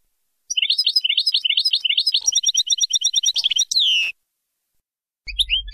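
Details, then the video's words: Goldfinch song used to train young birds: repeated twittering motifs accelerating into a fast chatter, then a drawn-out descending whistle, silence, and a short final phrase over a low hum. "غناء حسون باينام غازرات لتعليم الفراخ"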